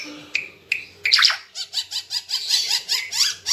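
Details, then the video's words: Ara Timor bird singing vigorously, recorded as a tutor track for training songbirds: two sharp chirps, then a loud buzzy burst, then a fast run of short, rising, twittering notes about five per second. A low hum sits underneath. "Burung Ara Timor Gacor"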